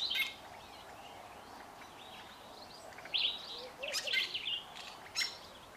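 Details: A pair of Fork-tailed Drongos singing together: scattered short whistles and twangy, bending notes, with a louder burst of varied chirps in the second half over faint background noise.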